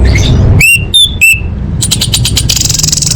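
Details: Calling female orange-headed thrush, used to coax quiet males into song. Three clear, ringing whistles come in quick succession, each steady or slightly falling. A buzzy, rattling series follows over a low background hum.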